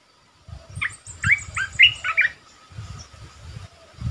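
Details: Red-whiskered bulbul kept as a decoy bird, singing a quick run of five or six bright, warbled whistled notes that slur up and down, with soft low thumping in the background.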